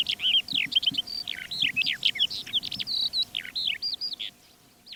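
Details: Calandra Lark song on the Manych steppe, Russia, 21 April 2024. Quick, jumbled chirps, downslurred whistles and short trills run together in a busy stream, with faint low background rumble.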